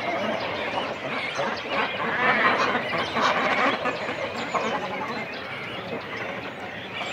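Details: Close-up recording of a cormorant colony with chicks and adults on the nest: a dense, continuous chorus of rough, grating calls and squawks that rises in the middle, with no pauses.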